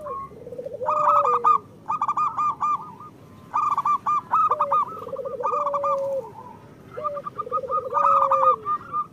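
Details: Local zebra doves singing, meant to spur lazy or moulting doves into song. Bursts of stuttering low coos ending in long even notes alternate with clusters of higher pulsed coos, separated by brief pauses.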